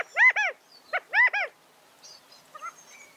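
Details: California quail calling twice: each phrase is a loud burst of three arched, nasal-sounding harmonic notes. Faint high squeaks and soft chips follow in otherwise quiet surroundings.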